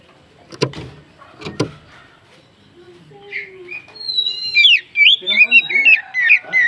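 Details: Oriental magpie-robin song used as bait to rouse other birds into singing: after a few sharp clicks and faint notes, a run of bright, warbling whistles with quick up-and-down slurs builds and repeats steadily to the end.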